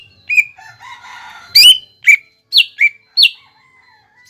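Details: Greater green leafbird, cucak ijo bahan, recorded as a lure sound to prompt a bird to sing: a few scattered sharp whistles and chirps, some slurring down, with a soft buzzy warble early on.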